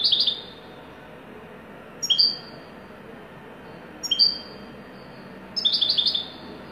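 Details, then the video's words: Wedani-type European goldfinch giving clipped, high, paired chirps every two seconds or so. The final burst is a quick cluster of rapid tinkling notes, and a soft constant hiss runs underneath. "تغريد حسون ويداني"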